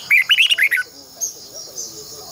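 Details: Red-whiskered bulbul, a decoy bird for training caged birds to sing in the morning: one quick phrase of five or six loud, liquid whistled notes that rise and fall, then quiet faint chirps.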